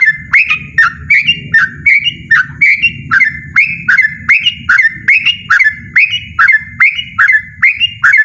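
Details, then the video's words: Yellow-vented bulbul singing a loud, persistent ropel-style song: quick bubbly whistled phrases with sharp rising and falling notes, repeated over a dozen times in about eight seconds, over a low steady rumble in the background. "burung trucukan ropel ngotot suara lantang"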